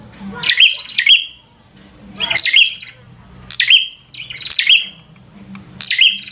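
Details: Fighter song of a bar-winged prinia, used to provoke a rival: loud clustered chirps in bursts, with short pauses and quieter low rumbling between phrases.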